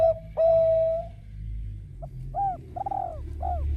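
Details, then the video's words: Bangkok-type zebra dove in full song, singing to draw other birds into calling: two long level cooing notes, then four short arched, rising-falling coos spaced about half a second apart over a low background rumble. "Perkutut bangkok gacor MEMANCING BUNYI Burung Lain IKUT BUNYI"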